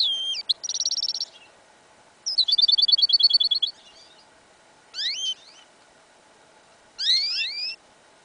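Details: Hybrid of goldfinch and canary, yellow isabel colour, heard in a field in winter: a short dry buzz, a longer rapid metallic trill, then two separate twittering phrases of rising slurred notes.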